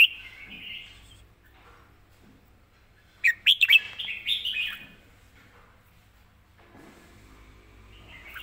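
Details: Red-whiskered bulbul kept caged, singing live with quick 'rik' chopping: one loud burst of rapid sharp chirpy notes mid-way, framed by soft warbling, with a faint low background hum.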